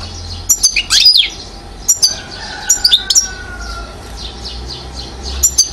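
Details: One-year-old European goldfinch from Mouzaia, Algeria, 2012, giving sparse high chirps and short twittered phrases with long quiet gaps, over a low background rumble.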